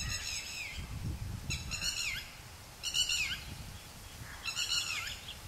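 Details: Red-whiskered bulbul calling in a garden: four rich, harsh, slightly falling notes about every one and a half seconds, over a low rumbling background.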